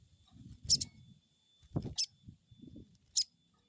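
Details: Crested jay crecet calls played to provoke a bird into calling: three short, shrill high chips over under four seconds, with a busy background of low thumps and knocks.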